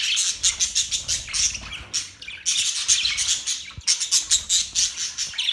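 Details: Budgerigars, Australian parrots, chirping in a dense run of rapid scratchy high-pitched notes and warbles, bursts clustering with short pauses near two and four seconds.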